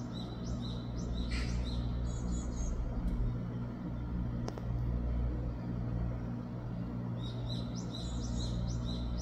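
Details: A young Japanese tit on 2 August 2024 gives rapid bursts of thin, high chirps, clustered early and late in the clip, over a steady low rumble of traffic.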